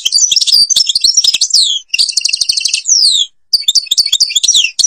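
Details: Algerian goldfinch in the Babors forest pouring out a long, fast, high twittering song with liquid slurred notes and a rattling trill, a brief pause, then more twitter.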